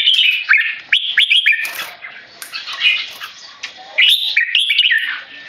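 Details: Stressed by human disturbance, a tame male red-whiskered bulbul, Singapore-raised, utters harsh keke notes: a scratchy burst at the start, a quieter middle, then another loud run of rising chatter.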